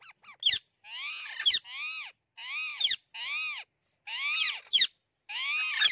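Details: Green ringneck parrot fighting a white ringneck parrot: a run of loud, grating, arched squawks about half a second each, interspersed with sharp clicks and snapping sounds.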